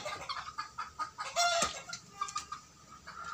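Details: Sixty-day-old native cockerels on a small home poultry farm in Parapat giving first attempts at crowing; one short strained crow in the middle among scattered clucks and chirps from other chickens.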